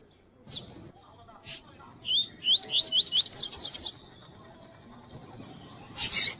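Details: Double-collared seedeater of the tui tui type, a female calling, used by breeders to warm up and stimulate males for tournaments; a quick run of about eight rising, slurred whistles, with sharp scattered chips before and after.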